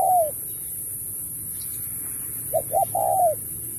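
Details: Spotted dove contest song from 2024 in the Thúc style with Bo: one falling coo, a pause, then two short clipped notes leading into a longer sliding coo.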